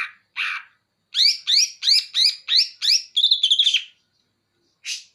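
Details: Greater green leafbird of the Banyuwangi type singing with bearded bulbul (cucak jenggot) imitation material: a loud run of six sharp, rising-then-falling whistled notes at a steady pace, then a fast quavering trill, with isolated short chirps before and after.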